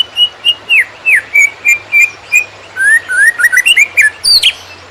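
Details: Greater green leafbird in konslet song, recorded as training material for other birds: a steady series of short downslurred whistled notes, then faster rising whistles and a burst of shrill high chatter near the end.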